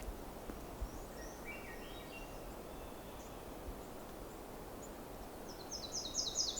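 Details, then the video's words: Nashville Warbler in the evening in forest with cedar trees, with a Swainson's thrush in the distance. A quick burst of high, sharp, somewhat harsh repeated notes follows a few faint distant chips, over a steady wind-like rumble. "This is sounding like Nashville Warbler here too."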